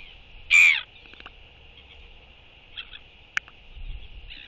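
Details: Courtship skycall from a royal albatross greeting its arriving partner with displays, recorded 11.6.23. A single loud, harsh, harmonic call bursts out early, followed by faint clicks and quiet calls against constant background hiss.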